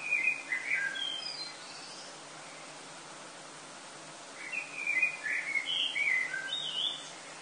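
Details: Common blackbirds sing before sunrise in summer in Lille, France, on 7 August 2018, giving two bursts of quick warbled phrases a few seconds apart over a steady background hiss.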